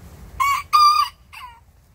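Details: Several small Bantam roosters crowing back at a big rooster next door, sassing him. A short three-part crow: two loud, steady, bright syllables in quick succession, then a fainter falling tail, over a quiet background.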